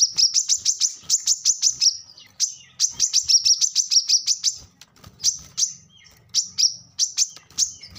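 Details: Brown-throated sunbird in lively 'ngobra' chatter, used as a lure to make untrained captive birds answer: rapid bursts of very high, sharp chips, several quick notes each, repeated in runs with short pauses; faint low rumble beneath.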